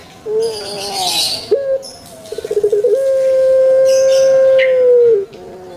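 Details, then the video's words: Indonesian puter pelung dove kept as a pet, long thick 'kwok' voice: a wavering coo and short note, then a run of fast stuttering pulses opening into a long, steady hoot lasting over two seconds, dropping at its end. "𝙋𝙐𝙏𝙀𝙍 𝙋𝙀𝙇𝙐𝙉𝙂 𝙎𝙐𝘼𝙍𝘼 𝘼𝙎𝙇𝙞 𝙋𝘼𝙉𝙅𝘼𝙉𝙂 𝙆𝙒𝙊𝙆 𝙏𝙀𝘽𝘼𝙇"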